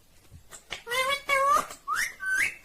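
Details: An Indian ringneck parrot speaks two drawn-out, harmonic, human-like syllables. A quick upward-sliding whistle and a final nasal phrase follow, with a faint click before the voice begins.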